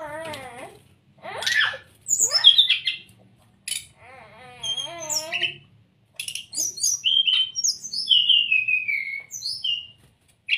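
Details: A brown-chested jungle flycatcher master song meant to be copied by caged birds: rough chattering bursts and a wavering harmonic phrase give way to a run of clear, descending high whistles.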